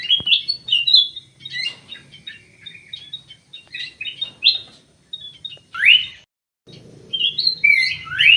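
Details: Common green magpie with an anklet ring in an aviary, chattering rapidly in short varied bursts, with a few loud rising whistles near the end.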